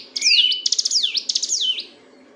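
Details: Continuous ngebren song of a Sunda bush warbler, kept as a master for training birds: a short burst of fast stuttered high notes mixed with sliding whistles, fading out after under two seconds.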